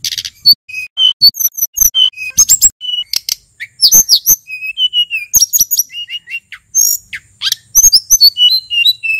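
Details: Long busy passage from a male mountain sulingan, endemic to Mount Merapi, sung as a lure for flycatchers and other birds; bright whistles, slurred notes and short rattles run almost without pause.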